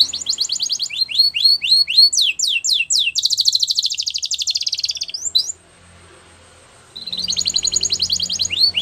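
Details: Male canary singing: rapid trilled phrases of repeated high notes, downward-sweeping syllables, then a dense buzzy rolling trill lasting about two seconds, a brief pause near six seconds, and another fast trill resuming; faint low hum in background.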